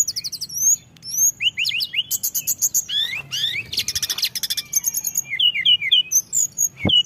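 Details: Lure song of a blood-breasted flowerpecker packed with fill-in phrases: quick high ticking notes, upslurred whistles, dense stuttering rattles mid-way, and a run of short rising chirps toward the end.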